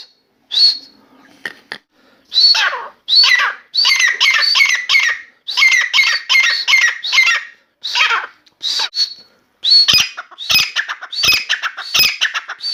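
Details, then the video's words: Indoor grey francolin (Dakhni teetar), a new bird singing on and off for half an hour; bursts of loud grating, ringing notes in quick series, broken by short pauses and a few sharp clicks. "Grey francolin Dakhni Teetar song | Teetar awaz| teetar voice| Dakhni Teetar voice"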